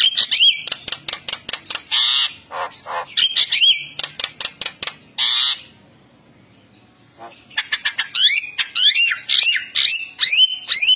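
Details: A tame Javan myna, active outside its cage, runs through loud, harsh squawks, rasping bursts and short slurred whistles in quick succession, with a brief pause midway.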